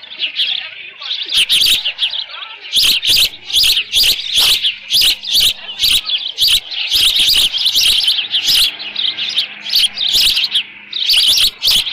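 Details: Insistent high chirping from an osprey nest at Dunrovin Ranch, 13 June 2018, late morning, with leftover fish. Short, piercing notes are repeated rapidly and almost without pause for the whole stretch.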